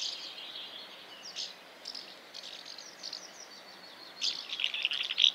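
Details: House martin (Delichon urbicum): short, dry, high chirps scattered irregularly, building into a denser, louder burst of twittering near the end.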